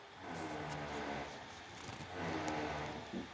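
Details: A steady engine-like hum and broadband noise, with no animal voice heard.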